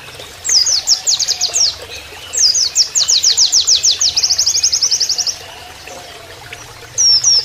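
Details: Oriental white-eye singing a canary-style song (nembak kenarian) used as a training master for pleci: very high, rapid series of sharp repeated chirps forming fast trills in bursts, with pauses between, over a soft background of flowing water.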